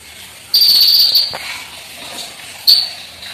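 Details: Olive-backed sunbird (konin) in energetic full-filler song: a long high level whistle followed by a pause and a second brief sharp whistled note, with faint background hiss.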